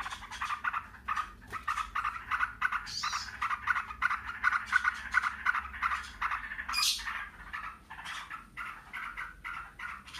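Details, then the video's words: Yellow-vented bulbuls singing noisily and continuously in the ngebren style, answering each other; dense bubbling, chattering notes run almost without pause, broken by a few sharper, higher squeaks. "TRUCUKAN RIBUT NGEBREN SAUT SAUTAN"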